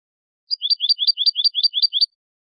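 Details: Tutoring recording of a pure European goldfinch singing 'quejas y adornos', meant to teach song to goldfinch chicks and hybrids. Eight crisp, downslurred high notes repeat in a rapid, regular trill, with no other sounds.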